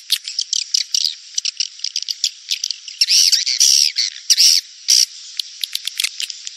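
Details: Rainy-season mating lure call of edible-nest swiftlets: scattered dry clicks and short chirps build into longer, harsh buzzing trills with a faint whistled overtone near the middle and end.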